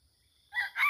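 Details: A wild red junglefowl, at a site with many junglefowl where birds were being lured, gives a brief, harsh, rooster-like burst in two quick pulses after half a second of quiet.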